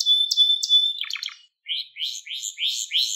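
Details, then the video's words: Canary song recorded to teach young canaries: a sustained high whistle with pulses, a short rattling burst, then a series of upslurred chirps after a brief silence. "Ders Gibi Kanarya Sesi Ve Ötüşü"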